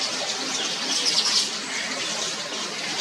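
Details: Yellow weavers at a tree packed with over a hundred nests in Mombasa, Kenya, during a busy early morning; dense high chirping from the colony, with a brief cluster of sharper short notes in the middle.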